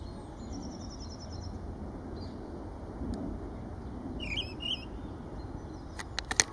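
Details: A Mistle Thrush sings at Kensington Gardens on 7 April 2017: a few short, fluty whistled phrases and a thin high trill over a steady low rumble, ending with sharp clicks.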